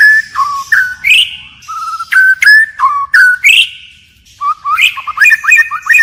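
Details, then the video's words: Forest-style song of a white-rumped shama, constantly changing: rich whistled phrases that rise and then fall away, spaced about a second apart, ending in a fast jumble of warbled notes. "Chích chòe lửa hót giọng rừng hay đảo giọng liên tục, บินหลาดง murai batu shama bird"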